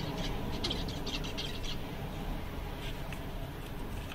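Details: A flock of seven zebra finches, content on a summer day, opens with a cluster of brief, bright chirping calls in the first couple of seconds. Then only a constant low hum continues, with a faint call or two.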